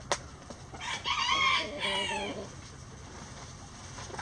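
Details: Before dawn, as chickens fly out of their coop, a rooster gives a single strained, harmonic crow of about one and a half seconds, heard against a hissing background and then quiet.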